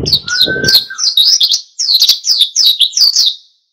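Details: Lively wild-style song of an oriental white-eye, meant to provoke other birds to join in: high twittering slurred notes repeated quickly, opening over a brief low rumble and a short, steady, lower whistle.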